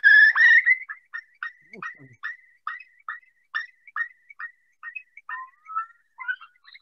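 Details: Eurasian curlew song: a loud opening note, then a long run of short, clear mid-pitched notes about three a second, quickening into a bubbling finish. It tells other curlews that one is present.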